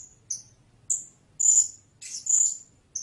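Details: Blue-crowned hanging parrot giving sharp, very high squeaky notes, some short and clipped, others drawn out and buzzy, spaced irregularly over about three seconds; a faint low hum underneath.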